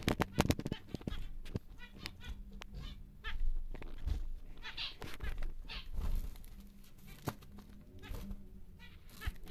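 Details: Large normal grey male zebra finch, a captive breeding bird, giving a run of nasal, buzzy beeping notes in its song amid frequent clicks and rattles from the cage.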